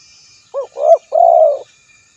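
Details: Spotted dove calling a rival, recorded specially for luring: three-note phrase of a brief hoot, a louder swelling coo and a long level coo, background otherwise quiet.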